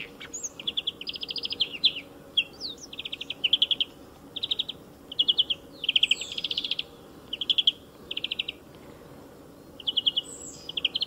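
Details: Near a motor racing circuit a European greenfinch repeats short, rolling trills about every second, each a tight bright burst of notes, with a few interspersed chirps and a faint low hum beneath.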